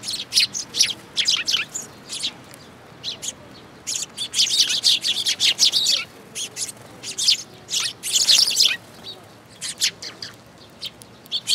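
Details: Flock of sparrows coming to a feeding spot on a shrine bridge railing, 9 June 2022; many bright, sharp chirps in quick bursts throughout, several birds calling at once, busy and overlapping.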